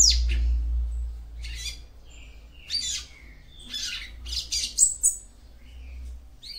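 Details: Female capped seedeater singing to stimulate her male: short bursts of high, buzzy chirps and squeaky notes in irregular clusters, separated by brief pauses, over a low steady hum.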